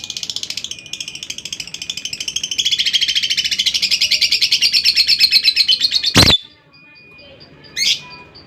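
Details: Lovebird giving a long ngekek, a rapid chattering trill of buzzy high notes running unbroken for about six seconds, ending in a loud click, then a single squeak.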